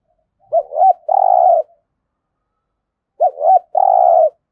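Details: Spotted dove from Đồng Nai, Vietnam, in competition cooing (thúc gù, gù đấu), with a pure local voice. Two identical phrases about 2.7 seconds apart, each made of two short rising-falling hoots and then a longer steady low coo. Otherwise quiet.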